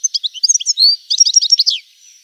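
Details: European goldfinch song: a fast, twittering run of bright, varied chirps and short trills, with liquid, tinkling notes packed closely over two seconds, ending in a faint fade.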